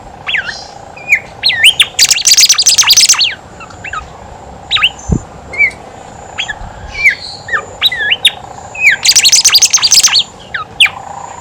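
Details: Horsfield's babbler in energetic song, played as a lure so that quiet birds start singing; many short curved whistles repeated at a quick, uneven pace, broken twice by dense high chattering bursts, with one sharp click.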